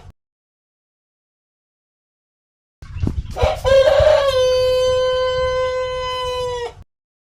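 A rooster gives one long crow lasting about four seconds. It opens with a rough, broken burst, then settles into a clear, steady, drawn-out note that fades at the end.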